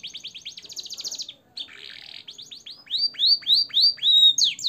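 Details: Canary training song with blackthroat and sanger phrases: a fast trill of repeated high notes, a buzzy rasp, then loud swooping whistles repeated about once every half second.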